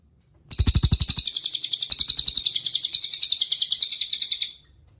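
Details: Cililin master song, used as a clean recording for daily training of other songbirds such as Murai Batu, Cucak Ijo and Kacer: a four-second burst of high, rapid chirping notes repeated about three to four times per second, without pause.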